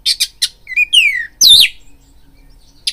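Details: Oriental magpie-robin singing as a fighting lure: three rasping high notes, then descending whistled slurs and a loud harsh swept phrase, ending with a single chip after a quiet gap.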